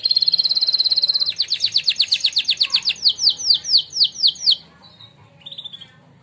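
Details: Singing-contest winner canary performing training song, opening with a rapid, buzzy high trill, then slowing into a string of loud, descending whistled slurs, dropping to quiet soft notes near the end.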